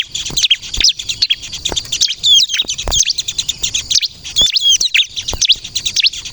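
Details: Bar-winged prinia of the 'kristal' type singing vigorously, used to lure and provoke other prinias to answer: dense, high, thin chirps and quick up-and-down twittering notes, with short sharp clicks between phrases.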